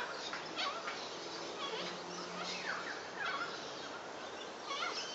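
A flock of little corellas gives harsh, grating screeches that overlap continuously, with a faint low hum underneath.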